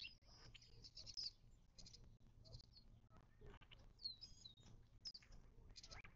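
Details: Several birds calling around a watering hole in the western Mojave Desert, southern California, close to Joshua Tree National Park, 19 March 2024. Short bright chirps and sharp downslurred whistles come in loose bursts over quiet ambient hum.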